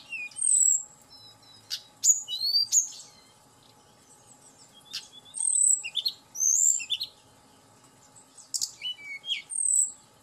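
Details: Hill blue flycatcher singing, used as a lure to excite the bird into song: bursts of high thin whistles, quick slurred rising and falling notes in phrases separated by short pauses, with quiet low hum behind.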